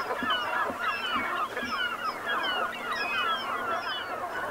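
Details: Brent geese in autumn at sunset, Gulf of Morbihan, Brittany, France, 7 November 2021: a dense flock chorus of many overlapping calls, with short descending whistled notes layered throughout over a steady murmur.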